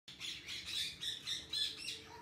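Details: One of a pair of Blue-fronted amazons in an aviary gives a run of harsh, raspy squawks, about five bursts in two seconds, over a faint indoor hum.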